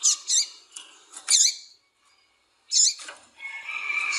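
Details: Calls of a female double-collared seedeater meant to excite the male into song: a few quick high chips, a short silence, then another chip followed by a thin, steady whistle.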